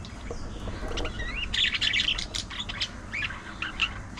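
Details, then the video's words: Budgerigar gossip-like chatter: dense run of buzzy warbles and clicks with curling whistled notes, steady and busy throughout. "Hilarious Budgie Moments: Gossip, Games & Cuteness Overload!"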